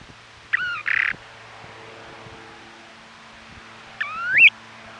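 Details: Western snowy plovers recorded by a trail camera on Ormond Beach, Oxnard, California, during the 2018 nesting season; a short double burst of whistled notes early on, then a single rising, inflected whistle near the end, over a faint steady hum.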